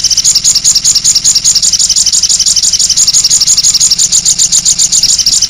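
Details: Crimson sunbird singing in the cit anten style: a rapid, unbroken stream of high, thin ticking notes, about two to three per second, with a faint low engine hum underneath.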